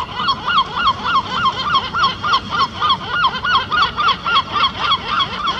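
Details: A herring gull paired with a lesser black-backed gull calls at the edge of the Serpentine near the island: loud, nasal, rise-and-fall yelping notes, about three or four a second in a steady run, with a faint background hiss.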